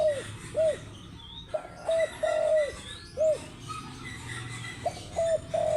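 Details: Morning calls of a spotted dove, a string of short curved coos with one longer drawn-out note, over a steady low background hum and faint distant bird whistles.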